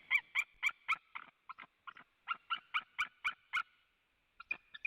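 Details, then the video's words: A white-tailed eagle at a Latvian webcam nest on a July 2017 evening, with a female and male arriving. It gives bursts of shrill, nasal yelps in rapid runs, pausing briefly between runs. "Strange noises on the nest"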